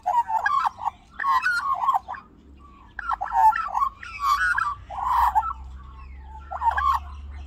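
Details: Backyard visit by a baby Australian magpie: repeated throaty, warbling chatter in short bursts of about half a second to a second, separated by brief pauses, over a faint low hum.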